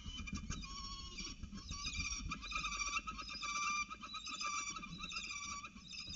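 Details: Peregrine falcons mating on a ledge, 20 August 2018: harsh, strongly harmonic calls given in rapid, uneven series almost without pause, over a low rumbling background.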